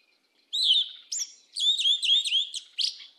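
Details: Yellow-legged thrush (sabiá-una) giving a southern "mateiro" style song: a fast, high phrase of clear whistled notes, closed by a quick run of four or five downslurred notes, with no other sounds.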